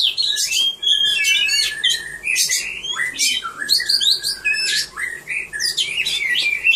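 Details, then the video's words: Singing contest for caged birds, 3 April 2015: an Oriental magpie-robin pours out a continuous, varied song of sharp chirps, buzzy notes and sliding whistles, with steady loud phrases and few pauses. "Birds Oriental Magpie-Robin singing - Singers perform in cage bird beautiful"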